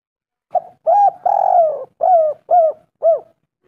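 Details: One phrase of spotted dove calling used as a lure to draw a reply: a brief low coo followed by a longer purring coo and three shorter descending coos, clear and loud.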